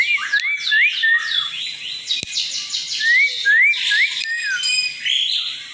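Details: Asian pied starling song played as a lure to draw other birds into singing: rapid chatter with repeated rising whistled notes, a sharp click midway, and a busy high jumble at the end.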